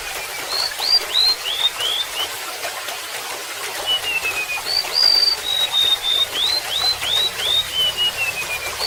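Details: A golden-bellied gerygone gives two phrases of high, plaintive whistles, each a string of upslurred notes stepping downward, with a pause between and flowing water behind.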